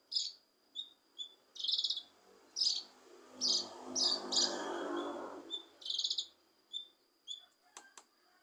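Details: Leafbird (cucak kinoi) song to stir a reluctant bird: short bright chirps and buzzy bursts about every second, over a low droning background noise midway.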